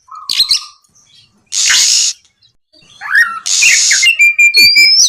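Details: Oriental magpie-robin in lively ngeplong-style song used at night to prompt other magpie-robins to sing; loud harsh rasping bursts alternate with high whistled notes, slurred rising phrases and a sustained clear whistle near the end.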